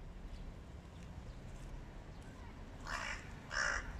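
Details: Hooded crows in a flock confronting a stray cat, giving two harsh, broad caws near the end of the recording over steady low background rumble.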